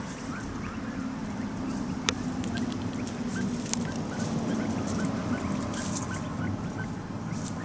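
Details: Taiwan hill partridge family of five happily searching for food in Dashue Mountain National Park, Dong-xi District, Taichung City, on January 18, 2021; soft, short low chirps come irregularly through a steady low rumble of background noise.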